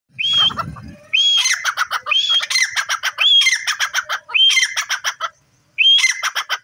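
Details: Grey francolin calling in the morning: about six loud, shrill phrases in under seven seconds, each opening with a high whistled note and followed by a quick run of harsh, ringing repeated notes, with short pauses between.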